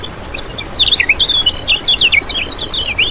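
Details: Lemon-bellied white-eye singing in continuous ngejos style, used as bait for catching birds: lively string of high, looping whistled notes that rise and fall rapidly, with loud swooping slurs.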